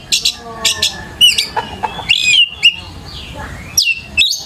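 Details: Oriental magpie-robin song on a lure for young birds to learn from. Short buzzy chips open the clip, followed by bright whistled slurs and a long gliding rising note near the end.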